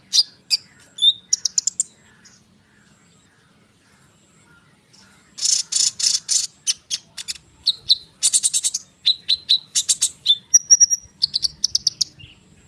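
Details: Konin bird singing as a lure for hummingbirds and other birds: scattered high chirps, a quiet pause, then dense buzzy rattled bursts and rapid repeated notes mixed with short whistled phrases.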